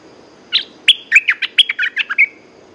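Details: Song of a caged red-whiskered bulbul: a lively sequence of about ten clear chirps and short slurred whistles, ending in a drawn-out thin note, against a quiet background.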